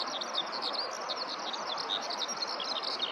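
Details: Eurasian skylark singing on the ground in a nearby rice field, recorded close up; a fast, unbroken stream of high twittering notes and short trills over constant low background noise.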